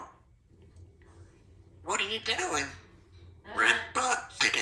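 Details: Two-year-old female Congo African Grey Parrot, a pet in a country home, described as outgoing and talkative, happy in the morning after her poncho was taken off. Speech-like phrases come in short bursts after a quiet start.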